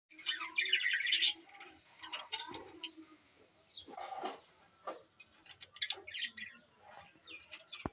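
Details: Captive budgerigars of new colour varieties in a playground setup at Larkana, Sindh, recorded 17 April 2024. Bursts of bright, scratchy chirps and warbles come in quick clusters with short pauses, and faint speech sounds underneath.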